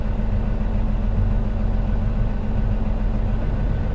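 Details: A steady, heavy low rumble of an idling vehicle engine runs throughout, with no animal calls heard.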